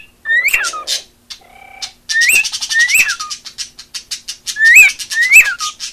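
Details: Pet female cockatiel singing loud, swooping whistles that rise then fall sharply, interspersed with harsh, noisy chatter and a brief low buzzy note.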